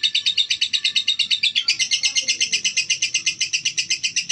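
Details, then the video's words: Calm female lovebird uttering quick, piercing chirps, at first blurred into a buzzy run, then crisper and brighter after about a second and a half, repeated nearly three times a second. "Lovebird betina"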